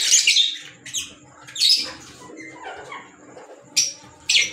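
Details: Caged green Fischer's lovebirds calling: sharp, high, squeaky chirps in separate bursts, some slurred downward, with quieter chatter between them.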